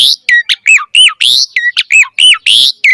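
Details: Asian pied starling in energetic 'gacor' song used for training birds: harsh, noisy notes alternate with loud downslurred whistles, about eleven notes in three seconds.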